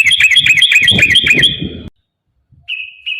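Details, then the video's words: Sooty-headed bulbul, a rapid trilling burst used to provoke caged birds into song: a quick chattering series of bright notes lasting almost two seconds, then silence and two short steady whistles. "trucukan gacor TARUNG ROPEL PANJANG pancingan trucukan agar bunyi jadikan burung trucuk gacor EMOSI"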